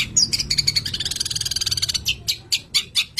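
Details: A Long-tailed Shrike, a cage bird described as in strong mating condition, gives a harsh, scratchy high-pitched chatter: a fast burst of rasping notes, then slower harsh notes about four per second.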